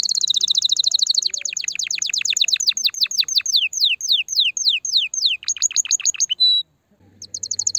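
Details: Canary song for stimulating a female: opens with a rapid rolling trill, shifts to a series of downward-sweeping whistled notes that slow gradually, a short pause, then a fresh quick trill begins.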